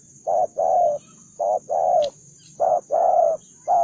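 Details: A combative Spotted dove repeats husky coo pairs, a clipped first note and a longer slightly falling second, with a short click midway and a constant faint high whine in the background.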